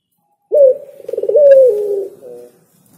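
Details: Spotted dove, locally called derkuku or tekukur, singing one cooing phrase of about two seconds: a low coo, a short rolling trill, then a drawn-out, slightly falling coo with a soft final note, over a quiet background.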